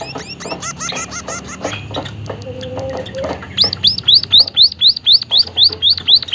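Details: White-headed munia (emprit haji) in lively voice: dense high chirps and buzzy notes at first, then a regular series of loud, looping upslurred whistles, about four each second.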